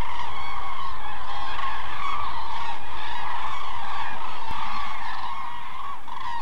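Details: A large flock of migrating common cranes in an almond orchard in Israel's Hula valley in November, a stopover where they eat fallen almonds, calling continuously in an overlapping chorus of rolling, trumpeting bugles over a low rumble.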